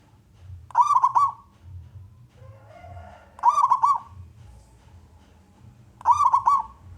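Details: Local wild-type zebra dove, a persistent singer with a big voice, used to lure other doves into singing: three short cooing trilled phrases of quick staccato notes, repeated about every two and a half seconds, with faint low hum behind.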